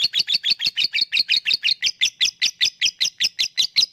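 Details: Lovebird 'ngekek' chattering, used as a lure to make lazy lovebirds sing. Rapid, harsh, squeaky notes are repeated almost three times a second in a busy, continuous chatter.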